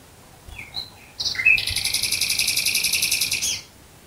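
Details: Nightingale heard at night near Dresden, Germany: a few soft introductory notes, then a loud, fast, even rattling trill held for about two seconds before it stops abruptly.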